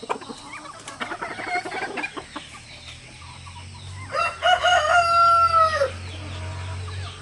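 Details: Crowing rooster in an exchange between three roosters and their hens; soft clucks and rustling lead in before a clear, loud crow of nearly two seconds with a slightly wavering start and a falling end.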